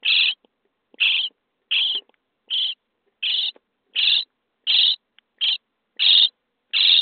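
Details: Common starling nestlings begging in a nest box on day 23 while fed: ten harsh, buzzy calls in a regular series, roughly one every 0.7 seconds, with faint clicks between.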